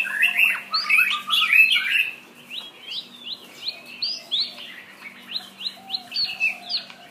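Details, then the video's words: Shama song opening with two seconds of rich, tumbling warbled phrases, then settling into a quick series of short, sharp upslurred whistles repeated about twice a second; low background hum. "Shama bird"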